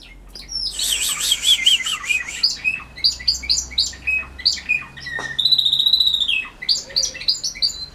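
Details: A trained song-contest canary, outdoors in hot weather and giving early-season notes, sings a bright song of rapid trills, repeated high chirps and sustained whistled tours; the owner finds it has too many metallic notes.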